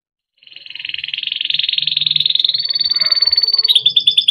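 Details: Timbrado canary singing a melodic training song: a long, fast trilled roll held near one pitch, pulsing rapidly for about three seconds, then shifting into a higher, brighter rattling trill at the end.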